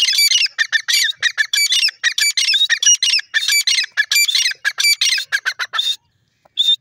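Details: Grey francolin in full voice, a wild jungle bird: a dense, harsh stream of loud squawking notes, rapid and uneven, that carries on for about six seconds before a pause and one last high note.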